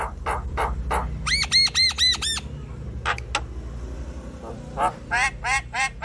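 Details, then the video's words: A Javan myna's varied chattering song, played to coax a quiet myna into singing: harsh, buzzy squawks mixed with quick runs of ringing, rising whistled notes, about four a second, over a low background rumble. "Ocehan jalak kebo"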